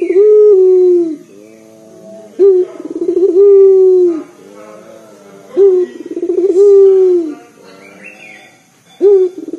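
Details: A local Barbary dove repeats its loud, deep coo as a lure for other birds, giving three full phrases over ten seconds. Each phrase is a sharp note and a fluttering run, then a long low hoot, with soft quavering notes between.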